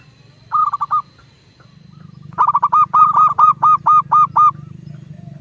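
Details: Local zebra dove, perkutut lokal, cooing to coax other doves into song: a short stuttered phrase, a pause, then a longer run of about nine rhythmic, evenly spaced coo notes over a steady low hum.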